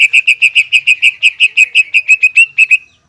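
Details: Greater green leafbird singing as a lure to excite rival leafbirds: a rapid, even series of about fifteen loud, clear whistled notes, roughly five per second, ending in a drawn-out trailing whistle.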